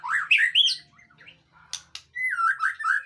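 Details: White-rumped shama song used as a training recording to prompt a reply: quick bursts of varied whistles and sharp chirps, a brief pause with clicks, then a sweeping whistled phrase.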